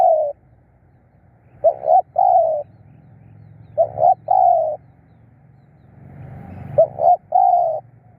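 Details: Spotted dove used as a decoy to lure wild birds, giving three cooing phrases over eight seconds. Each phrase is a short clipped note or two followed by a longer, mellow, slightly falling coo, with a low hum beneath.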